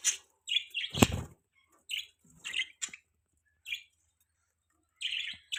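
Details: Budgerigars giving separate short chirps and squawky warbles with silences between, plus a loud low thump near the first second.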